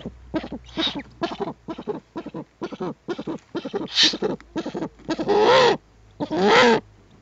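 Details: Eurasian eagle-owl adult with owlets at the nest, filmed by webcam on 21 April 2020; a run of raspy, broadband bursts repeated about once a second, ending in two longer hissing screeches with a thin whining tone.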